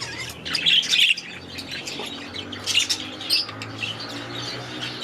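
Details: Young budgerigars, last year's babies now grown, released into a new aviary at the start of the season; soft warbling chirps and chatter in bursts, with a low steady hum beneath.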